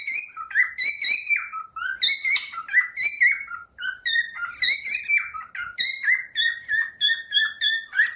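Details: Singing cockatiel, from a set of songs for training pet cockatiels: rapid, rich whistled notes with strong overtones, stepping up and down in quick repeated phrases of about one note per second, continuous and lively, no other sounds.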